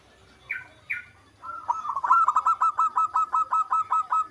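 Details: Local zebra dove in full song: two short rising notes, then a fast run of about fourteen staccato cooing notes at steady mid pitch, delivered in a rhythmic, pulsing series.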